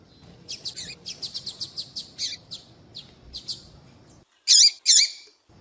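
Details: Female double-collared seedeater, a caged bird kept by breeders for female-call tournaments, calling to attract males: a rapid series of short high chirps, then a pause and two louder buzzy notes near the end.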